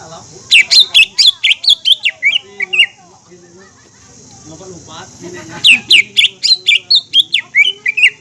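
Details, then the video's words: Green leafbird singing, used as a lure to excite other leafbirds into song: rapid bursts of sharp, high whistled and chattering notes, a long pause with faint low murmuring, then another fast run of notes. "PANCINGAN CUCAK IJO GACOR BUAT IJO BAHAN,TROTOL DAN OMBYOKAN AGAR GACOR DAN EMOSI"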